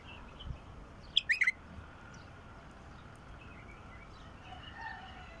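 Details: Wild bulbul sings a quick four-note liquid phrase, an opening high whistle then three fluty slurred notes, with soft distant bird chirps and low outdoor background noise.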